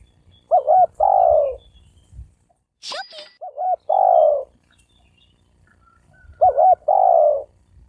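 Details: Spotted dove cooing to provoke males and females into fighting. Three phrases, each a quick double note followed by a longer, lower hollow coo, with a sharp click sounding between the first and second phrases.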